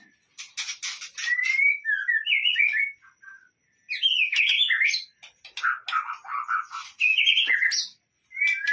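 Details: White-rumped shama singing for use as a lure: scratchy bursts mixed with clear slurred whistles, delivered in phrases of two to three seconds separated by brief silences.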